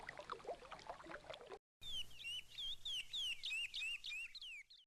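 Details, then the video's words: Chestnut-bellied seed-finch in regional Sergipano song: after a faint, jumbled start and a short silence, a run of sweet, rising and falling whistled notes in quick succession. "canto do curió regional Sergipano"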